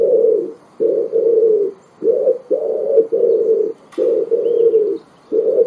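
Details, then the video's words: Pigeon calling with a dense series of low, muffled coos, mostly grouped in pairs and separated by brief gaps, with a faint click midway. "pigeon sound"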